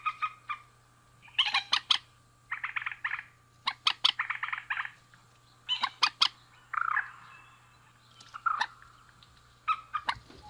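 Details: Male and female rail calling: bursts of harsh, clipped notes in quick clusters of three to eight, with gaps between groups and a longer buzzy phrase near the middle, over a steady thin tone and low hum.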